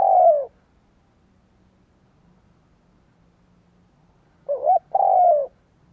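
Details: Low, mellow spotted dove coos used to lure wild doves: the drawn-out falling tail of one phrase, four seconds of quiet, then a complete phrase of a rising double coo and a long, sinking note.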